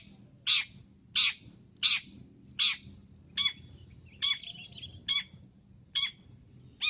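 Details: Long-tailed shrike (cendet) in a training recording, gacor style full of varied fills: loud, harsh, rasping notes repeated about every 0.7 seconds, first four broad and buzzy, later ones more ringing with a falling tail, over faint low hum.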